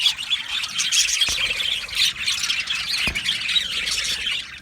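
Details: Australian budgerigars singing and chirping together in an aviary colony, harsh squawks and twittering warbles overlapping in a steady, dense chorus, with two faint thumps.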